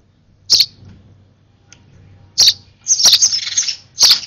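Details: Excited sparrow baby being hand-fed, begging with short, sharp high chirps and one longer harsh, squeaky burst lasting nearly a second before a final chirp.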